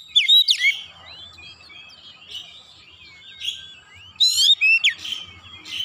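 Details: Oriental magpie-robin song in 'nembak' style with repertoire: a few loud sharp swooping notes, then soft varied twitters and warbles, and another brief burst of strident whistles.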